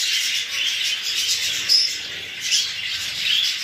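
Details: A group of English show budgies, exhibition and hogoromo birds, warbling together, with steady high chattering and a few sharper whistled notes rising above the mix.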